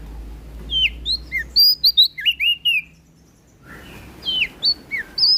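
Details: Melodious, loud song of a West Nusa Tenggara prinia (prenjak daun): a quick run of sharp high chirps and twisting whistles for two seconds, a short silence, then a few more bright slurred notes.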